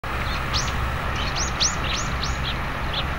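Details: Grey-headed lapwing chicks calling: thin, high, downslurred peeps, about six in three seconds, over a steady low rumble like distant traffic.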